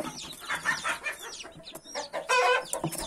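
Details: Hen with a brood of 31 newborn chicks: busy overlapping chick cheeps and quick low clucks, ending in a louder harsh, buzzy burst.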